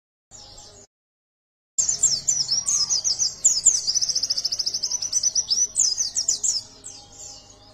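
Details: Caged yellow-breasted white-eye in full song, used to provoke other birds into singing, pours out a long, very high twittering song of rapid chirps and buzzy trills, with a brief high snatch before it.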